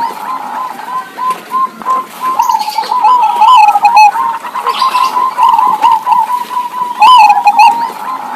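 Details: Local zebra doves trade soft, warbling cooing phrases near one pitch, two birds answering each other, over faint chirps from other small birds.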